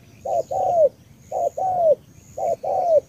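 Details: Spotted dove from Cà Mau, Vietnam, cooing in the 'tú' style: three phrases, each a short low note followed by a longer mellow coo that slides downward, about one phrase a second, with faint steady high hiss.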